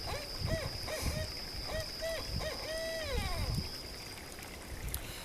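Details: A Barred Owl hoots a rhythmic run of about seven notes in its "who cooks for you" call, ending in a long, drawn-out falling note, over trickling water and a steady high whine.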